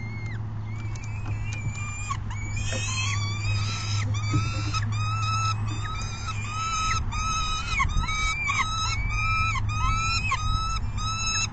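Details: Demanding young female peregrine falcon, filmed May 30, 2016, screams for food after chasing her mother onto the perch. A relentless series of harsh, ringing screams, roughly two per second, over a constant low electrical hum.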